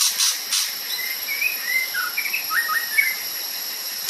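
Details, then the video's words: White-rumped shama from Sumatra singing vigorously in natural surroundings: clear whistled notes, some rising and some falling, strung into a lively phrase, over a steady high insect drone with a few short rushing bursts. "murai batu sumatra. _suara asli alam gacor"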